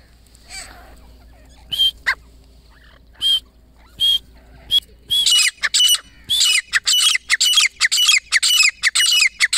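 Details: Calling female grey francolin: a few spaced harsh notes at first, then a quickening run of loud, grating squawks repeated almost twice a second, each burst sharp and high.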